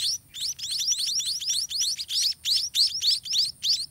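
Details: White-rumped munia chicks beg in the nest as the parents feed them by regurgitation: a rapid, high, thin twittering, with many short chirps a second in bursts, and no other sounds are heard.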